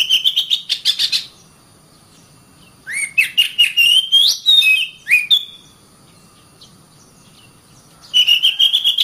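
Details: Kacer, or Oriental magpie-robin, singing for caged-bird training: rapid chattering notes, a silent stretch, then a lively series of sharp whistles and downslurred chirps, with fast chattering returning at the end.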